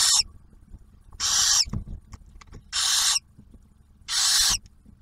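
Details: At a barn owl nest box near Oak Harbor, Ohio, the male brings food and the female feeds the newly hatched owlet; four loud, rasping hiss-screeches come roughly every second and a half, with faint shuffling between them.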